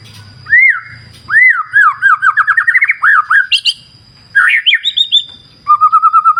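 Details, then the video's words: White-rumped shama (murai batu) in a clear-river nature setting: loud arched whistles, then quickening slurred notes, a burst of high chips, and a closing series of five evenly repeated rolling whistles. "Terapi Murai Batu Ala Alam Liar Sungai Jernih"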